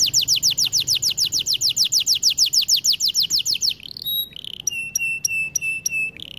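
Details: Canary singing for training: a long, very regular trill of falling notes, about four per second for nearly four seconds, then short flat whistled notes and a soft buzz.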